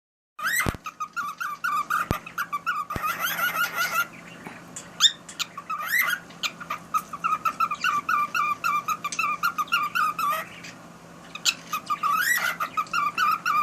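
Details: A cockatiel (Nymphicus hollandicus) sings a long, chattering run of quick, rasping chirps and short whistled notes.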